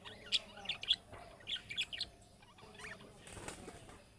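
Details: Chick-style budgerigar calls used to prompt other budgies to reply: a run of quick, high, squeaky chirps in the first two seconds, then softer chatter and a brief burst of rustling.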